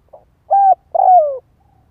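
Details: Spotted dove lure call fragment: a soft pip, a steady mid-pitched coo, then a longer coo slurring downward, in clean quiet surroundings.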